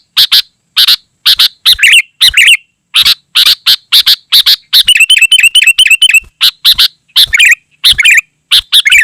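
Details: Energetic, densely packed sooty-headed bulbul song: loud harsh bursts alternating with bubbly, twisting warbled phrases, and a rapid stretch of evenly repeated chirps in the middle.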